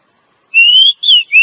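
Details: Female Oriental magpie-robin, calling to rouse a male into song; one long rising whistle, then a falling slurred note and the start of a further whistle.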